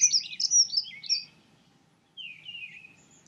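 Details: Dunnock delivers a brisk, high, jangling warble for just over a second, then a pause and a softer descending thin trill.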